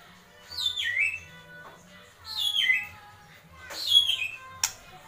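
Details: Agitated White-rumped shama in kretekan mode: three clear whistles, each sliding downward from high to mid pitch, spaced about one and a half seconds apart, ending with a sharp click, over a low background hum.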